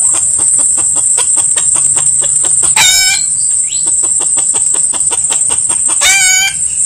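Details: Wild junglefowl being lured: two short, harsh, strongly harmonic calls near three and six seconds, over a steady high-pitched insect drone and rapid regular clicking pulses.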